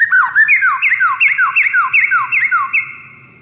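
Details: White-rumped shama song played to lure rivals: a fast, steady series of bright, falling whistled slurs, roughly three per second, ringing strongly before trailing off at the end.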